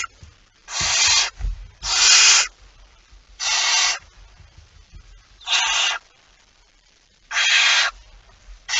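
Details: Spaced-out harsh hisses from a barn owl at the nest with prey, recorded 23 September 2019. Six bursts come at uneven intervals, with soft low rustling and knocking in between.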